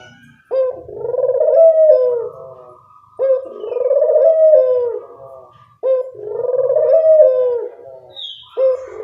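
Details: Lure recording of a Barbary dove used to draw in birds: three deep, vibrating coos repeated roughly every two and a half seconds, each opening with a brief note and stretching into a long, wavering tone.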